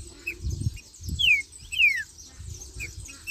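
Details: Two clear, strongly descending whistled notes from a green-winged saltator singing marcheando, separated by half a second, with faint softer whistles and low rumbling thumps in the background.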